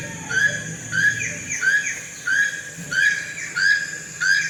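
A toucan gives a string of seven ringing, rising-then-falling yelps, about one every two-thirds of a second, over a low background hum.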